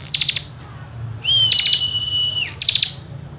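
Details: Common tailorbird in full song. A burst of rapid chips gives way to a long, steady whistled note lasting over a second, then drops away into another quick chipping burst.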